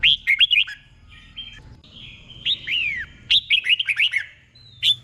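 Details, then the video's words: Red-whiskered bulbul tutor song for training caged birds, in the doubled 'beol' style. Quick whistled notes alternate with short sustained tones and a long falling slur. The phrasing is loose, with a faint hum behind. "เสียงนกกรงหัวจุก | สุดยอดนกครู เบิ้ลชัดๆ เบิ้ลเป็นคู่ๆ"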